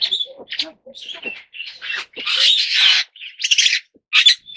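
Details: Superb starling giving a long run of scratchy, buzzy chattering notes, mixed with squeaks and short whistles, in quick irregular bursts.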